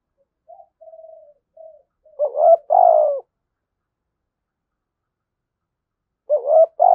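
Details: Spotted dove in the 'thổ sấm' voice style: faint fading coos lead into a loud two-part phrase with a rising note and a long throaty hoot. A pause follows before the next phrase begins.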